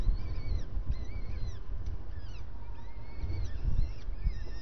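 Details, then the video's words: Starling calling at breakfast time: a series of short arched whistles, each with a fainter upper overtone, repeated irregularly over a steady low rumbling background. "Estornino en el desayuno"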